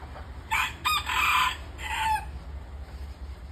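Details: Red junglefowl crowing in a natural setting: one bright, clear crow of several rapid, rising and falling segments over about a second and a half, then a shorter trailing note, with a low steady hum beneath.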